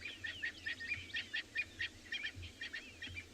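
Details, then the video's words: Distant francolins, likely flushed from grass by lionesses, alarm in a quick run of scratchy, chattering notes, several a second, over low vehicle or wind rumble, on a winter morning safari, 21 June 2020, in a South African private game reserve. "You can hear some francolins alarming off in the distance, and I expect that's exactly where the lionesses are."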